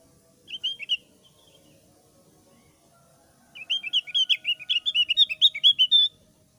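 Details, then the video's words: Javan grey-throated white-eye of the thick-browed form, singing in the lively ngeplong sambil ngeriwik style used as a lure. A short burst of high chirps comes first, then after a pause a fast run of bright, twittering notes for about two and a half seconds. "PANCINGAN SUARA BURUNG OPIOR JAWA ALIS TEBAL NGEPLONG SAMBIL NGERIWIK GACOR"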